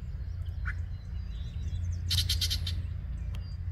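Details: Yellow-breasted chat singing in late May at 10:12 AM in Osborn Metropark, Huron, Ohio: one short slurred note, then a harsh, rasping burst of rapid pulses lasting about half a second, with constant low rumble behind.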